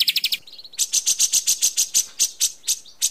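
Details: White-rumped shama (murai batu) in a training recording of tight "tembakan" shooting fills. It gives rapid, sharp high notes in quick bursts of about four per second, like a tight rattling volley, with nothing else heard.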